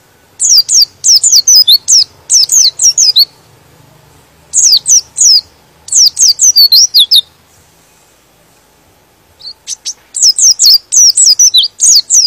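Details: Energetic high-pitched song of a white-eye, used to rile other white-eyes into singing: repeated rapid phrases of thin, descending whistled notes, several bursts with short pauses and a longer silence before the final run.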